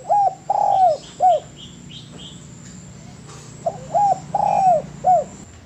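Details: Spotted dove singing on a training master recording: a phrase of coos around a long croo, then a second matching phrase after a gap. A series of short, thin, high chirps from another bird fills the pause.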